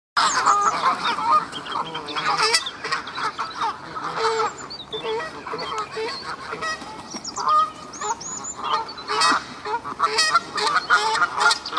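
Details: Canada geese in the Hertener Schlosspark, a castle park in Herten, giving a steady chorus of loud, harsh honks from several birds, overlapping and repeated throughout, with a few higher squeaky notes among them.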